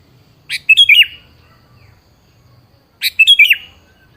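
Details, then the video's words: Two cheerful, slurred phrases from a sooty-headed bulbul, separated by about two and a half seconds of near silence; the song serves as a lure to prompt a rarely singing bird to respond. "pancingan suara burung kutilang yang jarang bunyi"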